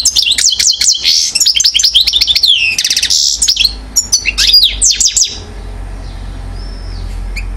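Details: One-year-old European goldfinch, described as acrobatic, recorded at Mouzaia, Algeria, in 2012: rapid high twittering song of tinkling notes, buzzy rattles and sweeping chirps packed densely for five seconds, then near silence with one soft whistle.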